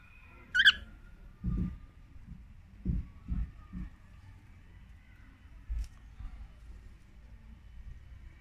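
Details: Caged male cockatiel calling to be let out of its cage, recorded on a Huawei P20 phone: one loud, sharp, harmonic screech near the start, followed by soft low thumps and handling noise.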